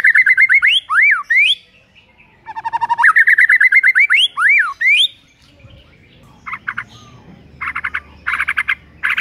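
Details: White-rumped shama singing in the morning to provoke a rival into singing: loud whistled phrases near the middle pitch range, quick rising and falling slurs, a lower run of rapid notes, then short buzzy bursts after a quiet pause.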